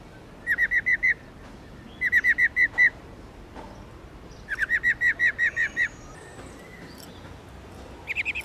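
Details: A female black-throated laughingthrush, subspecies lugens, gives the 'ro ro' call that fires up males to sing. Four fast bursts of five to eight clipped, repeated notes each, separated by pauses of about a second.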